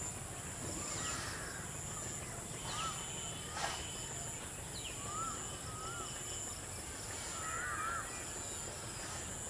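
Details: A pair of Rufous treepies perched on a dry Sheesham tree give scattered clear whistled notes, some rising and falling, over a steady high insect drone and low rumble.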